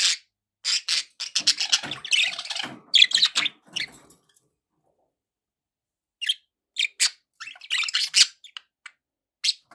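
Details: Budgerigar warbling fills the first four seconds as a dense string of scratchy chirps. After a silence, a second bout of sharp chirps and squawks follows.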